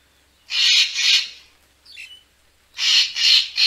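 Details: Grating, broadband double calls of a racket-tailed treepie, played as a lure for bird photography, with one short squeaky note between the two loud paired bursts.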